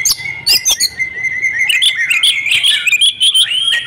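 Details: Female Oriental magpie-robin (kacer betina), a lively 'gacor' lure call used to coax silent males into singing: dense high chirps and whistles, with sharp clicks early, then a steady run of varied warbled notes throughout.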